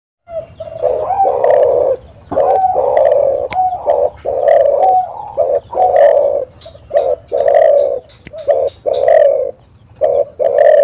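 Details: Spotted dove calling as a lure to prompt other doves to call, a vocal bird: low, mellow cooing in steady short-long phrases, repeated almost without pause, with a faint hum underneath.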